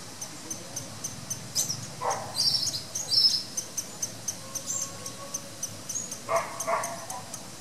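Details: Masked water tyrant in Jardim Botânico, Rio de Janeiro, Brazil: a single buzzy nasal note, then a pair of similar harsh notes near the end, set against rhythmic insect ticking and scattered high bird chirps.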